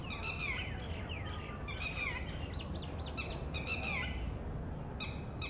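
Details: Red-wattled Lapwing female, distant from the nest, warning her lone newly hatched chick of potential predators; piercing, harsh notes in tight rapid bursts, each slurring downward, with softer looping chirps between bursts.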